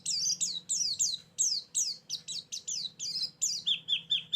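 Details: White-eye lure song for trapping birds: steady high down-slurred chirps, a few each second, closing with quicker lower notes, with a faint low hum behind.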